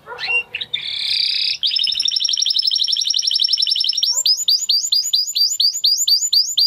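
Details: Spanish Timbrado canary, the original breed, singing a bright high trill that shifts from a buzzy churr into a rapid run of rising notes and then a chain of sharp downslurred chips, about four per second.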